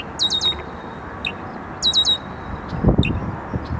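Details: A male red-winged blackbird defending a perch near a pond as territory gives two bursts of high, rapid buzzy notes about 1.5 s apart over low rumble and soft thumps; McDowell Grove Forest Preserve, DuPage County, Illinois, June 8, 2015.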